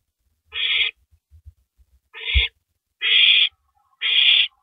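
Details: At 3:33 AM on April 9, 2012, an owl tears at a big rabbit before downing it; four loud, rasping hissy screeches, each near half a second long, with faint knocks and scraping in the gaps.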